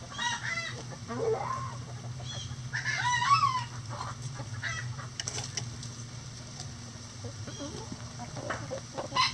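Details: Chickens in a backyard during daily activity give scattered harsh calls and squawks, the strongest near the start and middle, with softer scratchy sounds and a low steady hum between them.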